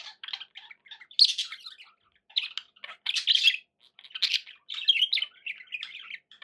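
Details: Pet budgerigars chattering, a mix of soft warbles, sharp squeaks and grating squawks, rising in louder bursts toward the middle and end.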